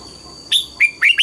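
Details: Morning song of a red-whiskered bulbul being trained to sing the mature-forest double-note style ('âm kép già rừng'). A loud whistled note is followed after a pause by three quick rising, warbled notes. A thin constant whine runs behind.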